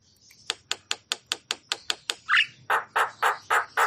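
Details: Javan myna song, a lively full-repertoire performance meant to stir stressed or quiet mynas: a run of about ten sharp, evenly spaced clicking notes, then five harsher squawky rasping notes at a slightly slower pace.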